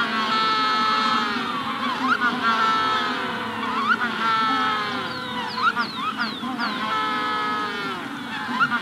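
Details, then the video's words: Magellanic penguins in a hatching-stage colony give pulsing, donkey-like braying calls that rise and fall in loudness against a steady chorus, with short rising sparrow notes in between. "Magellanic Penguin / Calls MD In Colony At Hatching Stage"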